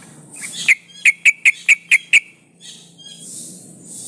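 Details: A female yellow-vented bulbul in breeding condition calls for males and serves as a lure, giving seven sharp, clipped notes in a slightly uneven series, with a soft hiss behind.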